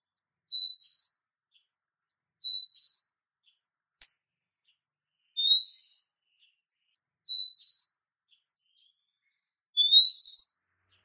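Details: Female Oriental magpie-robin calling a male, in breeding condition, used as a lure to make males answer: a short, high, upslurred whistle repeated about every two seconds, five times, with one sharp click between them. No other sounds.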